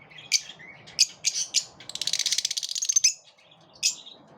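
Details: In a group of lovebirds repelling one another, a few sharp chirps lead into a fast, buzzy rattle of about twenty pulses over a second, followed by a lone squawk.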